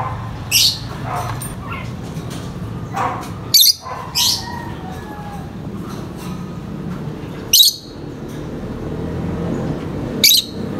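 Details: High-pitched chirping from vocal lovebirds: sharp, shrill single chirps and short bursts come every second or two, with a steady low background murmur.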